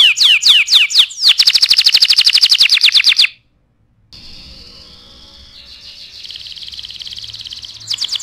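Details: Canary in full song, played to tutor other birds: fast descending notes, then a long rapid buzzy trill, an abrupt silence, a steady rolling buzzy trill that rises in pitch, and quick sharp notes at the end.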